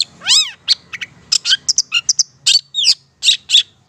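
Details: Long-tailed Shrike song from Madura used as a training recording for cage birds: a varied, energetic run of sharp high chirps, rising and falling slurred whistles and buzzy notes in quick succession, no other sounds.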